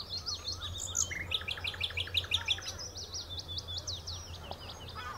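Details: Common nightingale at the Horsmeertjes on Texel delivering varied phrases: a brief whistle, a quick stuttering run of repeated notes, then a longer series of sharp descending notes, over a faint low hum.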